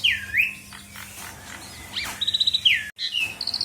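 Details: Short stretch of Asian pied starling song meant to stir other birds into singing: looping whistled slurs, a quick run of clipped repeated notes and a falling whistle, over a low background hum.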